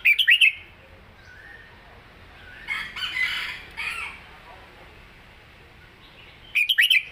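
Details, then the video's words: Caged red-whiskered bulbul delivering southern-style song phrases of quick, slurred whistles at the start and end, with a rooster crowing in the background between them. "เพลงใต้สวยๆ!เม็ดกะจี้กหก/นกเสียงทอง(Bulbul bird)"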